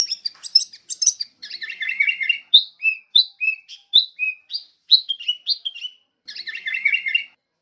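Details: Lure and tutor recording of a sooty-headed bulbul for training songbirds. Busy twittering chatter alternates with rows of clear, sharp downslurred whistles, pauses briefly, then the chatter bursts in again, with no other sounds.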